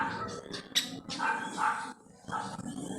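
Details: Yellow-vented bulbul calling to other bulbuls with its typical chatter: a run of short, bubbly notes with stacked harmonics, a loud sharp note near the start, a brief pause, then more notes, over steady background hiss.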